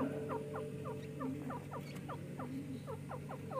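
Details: Two francolin chicks at play and fighting: a continuous series of short, high, downward-sliding peeps repeated rapidly, with a steady low hum beneath.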